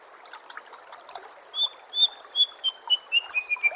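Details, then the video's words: Training song of a white-rumped shama, meant to prompt other shamas to sing: faint chatter gives way to a steady series of high, clear whistled notes, each slightly lower than the last, about three per second. "MASTERAN MURAI BATU PALING DI CARI TAHUN INI || SUARA JERNIH ,BURUNG PASTI NYAUT DAN GACOR SEKETIKA"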